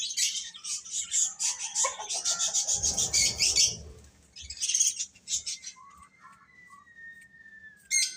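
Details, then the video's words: Young chicks chirp in quick succession, with a rubbing, scraping noise in the middle and a long thin whistle-like tone near the end. "Cute Chicks Chirping Sounds"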